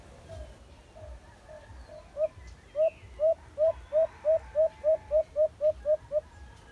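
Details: White-eared brown dove, locally alimokon, in a cage-trapping context: faint coos build into about twelve loud, short, upslurred hoots at a brisk even pace, over soft low thumps.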